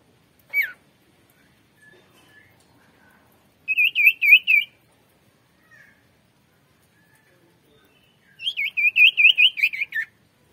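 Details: Oriental white-eye in lively song with the variation style called teler: a single high sliding note, then two bursts of rapid, wavering warbled trills, the second longer, separated by quiet gaps and faint soft notes.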